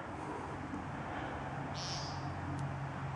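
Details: An American Woodcock at dusk in late March in a field in Massachusetts gives a single short, nasal, buzzy peent, part of its mating ritual before display flights, over a steady low rumble of distant traffic.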